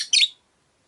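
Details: Caged Rosy-faced lovebird, one of five birds kept by a window, giving a single brief shrill chirp that cuts off quickly, followed by silence.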